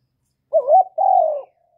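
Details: A single spotted dove coo phrase, used to stimulate newly kept birds: a short rising-and-falling hoot, then a longer, smooth, slowly falling low note.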